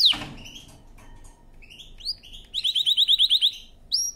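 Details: Canary in training song: a sharp opening note, a few soft rising chirps, then a rapid series of about ten bright rising notes, and a closing whistle.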